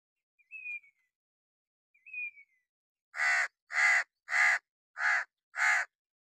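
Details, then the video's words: Two faint, thin whistled notes, then a hooded crow on a wooden perch in summer rain bursts into five loud, coarse caws at a steady pace. "crow cawing sound effects from sitting on wood enjoy the summer vibes in rain"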